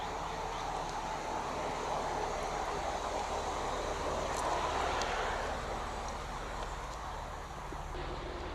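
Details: Steady rumbling train or vehicle noise with wind fills the whole recording, with no animal voice standing out.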